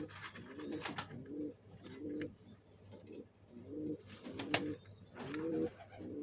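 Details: Pigeons building a nest for laying eggs give low, soft rolling coos about once a second. Sharp clicks, scraping and rustling are heard against a faint steady hum in a small indoor space.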